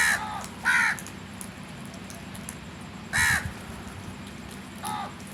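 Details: Crow cawing in bursts: two harsh caws in quick succession, a long pause, then another loud caw and a weaker one, with low steady noise in the background.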